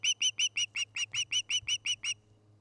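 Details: Osprey calling from a nest near Charlo, Montana, on a nest camera in late August: eleven shrill, clear whistled notes in quick even succession over two seconds, over a faint low background hum.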